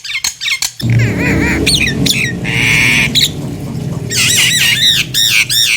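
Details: Nias hill myna singing to prompt other hill mynas to join in: a few sharp clicks, then loud nasal squawks and a long buzzy, harmonic note, ending in repeated wavering, scolding calls over a constant low rumble.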